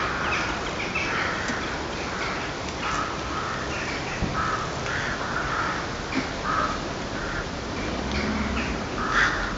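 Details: Crows heard at night, their calling said to be unsettling: short, coarse caws come in an irregular string, some fainter and more distant, against steady background hiss.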